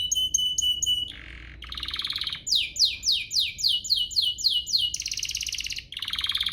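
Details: Canary song used to provoke other canaries into singing: varied phrases of pure whistled notes, a buzzy trill, then rapid repeated downslurred sweeps and fast rattling trills, bright and high.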